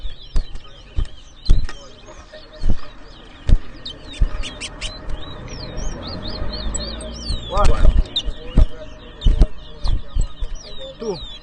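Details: Chestnut-bellied seed finch in a 2023 whistling competition at Edinburgh Village, Guyana, delivering short high sweeping whistles in bursts, interrupted by sharp knocks, clicks and voices of the crowd.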